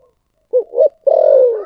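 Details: Spotted dove in the thổ sấm song style: two short hollow coo notes followed by a long, loud, drawn-out coo that slowly falls in pitch, in a clean quiet recording.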